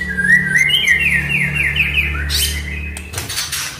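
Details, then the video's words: Oriental magpie-robin (murai batu) singing to encourage a silent bird: a long flowing run of quick whistled and trilled notes, then harsh scratchy bursts, above a steady low hum. "MURAI DIRUMAH DIEM,//, COBA DENGARKAN KICAUAN INI"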